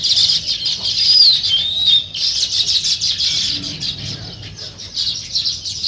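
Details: Natural morning sparrow chirping: a dense, steady stream of short high chirps from several birds, with a brief high sliding whistle near the start.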